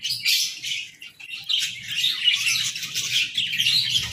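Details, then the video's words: Budgerigars chirping in harmony in the morning, a continuous mix of thin, high twitters and chattering warbles that dips briefly after the first second, then swells again, over quiet low-frequency rustle. "Chirpy Mornings with Budgies!"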